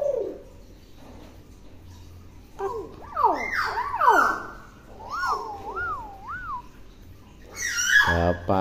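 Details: Tame, talkative common hill myna imitating words: after a quiet start come swooping whistles, then a wavering, warbled whistle rising and falling three times, and finally a loud, harsh voice-like squawk.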